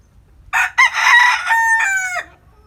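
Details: Full morning cock-a-doodle-doo from a chicken in a rural hometown: two quick harsh opening bursts, a long strained middle note, and a final drawn-out phrase that slides down in pitch.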